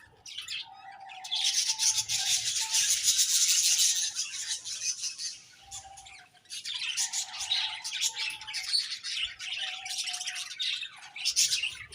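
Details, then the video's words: A flock of budgerigars keeps up a long rasping, warbling chatter that dips briefly around the middle, with a soft steady tone humming underneath. "Beautiful Budgies Chirping Sounds"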